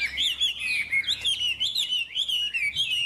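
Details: Chinese hwamei pours out loud, clear whistles in quick varied phrases, swooping and trilling with barely a pause, against a faint low background hum.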